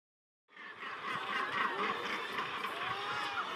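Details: Northern Gannets at their nesting cliffs on Helgoland fill the air with a dense, harsh chorus of overlapping grating calls, many birds calling at once in a rapid, continuous din.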